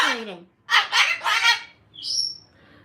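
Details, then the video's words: Mad pet rescue cockatoo indoors giving three harsh, raspy squawks in quick succession, preceded by a falling call and followed by a short high whistled note. "Mad Cockatoo"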